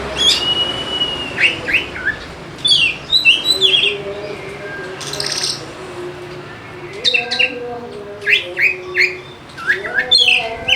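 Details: Oriental magpie-robin used as a lure to make idle birds sing; a long clear whistle opens, then clusters of quick chirps and sweeping whistles come in bursts with brief quiet gaps between phrases.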